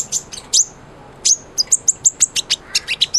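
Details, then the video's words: Sunbird song for training a white-rumped shama: very high, thin sharp notes, a few sweeping squeaks, then a rapid even series of short piercing chips about four per second. "SUARA BURUNG KOLIBRI NINJA GACOR"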